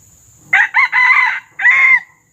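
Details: Junglefowl crowing at a lure set in the wild: a loud, hoarse crow in four bursts. Three quick rising-then-held phrases are followed by a short pause and a final drawn-out note that falls away. Little else is heard.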